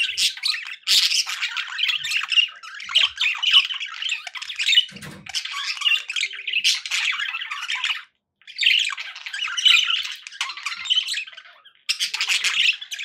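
Budgerigars chatter in a busy stream of scratchy warbles, squawks and quick chirps.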